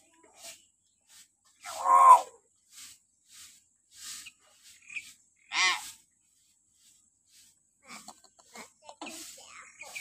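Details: Common hill myna giving shrill calls in the morning, recorded to stimulate captive mynas: two loud, harsh harmonic cries about three and a half seconds apart, with fainter scattered chatter and clicks between them.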